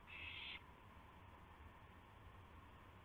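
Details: A single brief, rasping hiss opens this night recording of an owl during a gopher delivery on April 7, 2016, followed by steady low hum.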